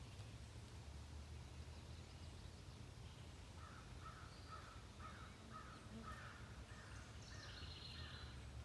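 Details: Pileated woodpecker in Hebron, Connecticut, giving a run of about nine evenly spaced, loud, mid-pitched calls over four seconds, with thin high notes from other birds and a low steady rumble behind.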